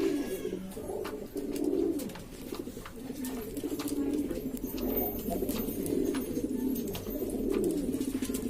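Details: Flock of Lombok domestic pigeons in East Lombok, West Nusa Tenggara, cooing loudly: a dense, continuous bed of low, wavering coos from many birds, with sharp clicks scattered throughout.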